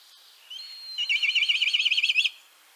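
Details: A Black Kite from Central Russia gives a thin, high whistle, then a rapid, quavering whinny of a dozen or more wavering notes lasting just over a second, against a quiet background.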